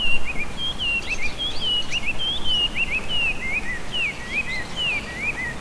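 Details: Chinese hwamei, introduced and invasive in Japan, singing in spring among cherry trees along the Hanamizu River, Yamashita, Hiratsuka. Loud, varied whistled phrases, slurred up and down and run together continuously, over low steady background rumble.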